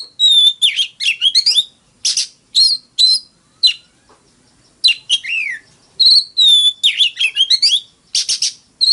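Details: High, varied song of an Oriental magpie-robin in fighting style: clustered twittering phrases, pure whistles and a descending slur, separated by short silences, with a faint insect-like background.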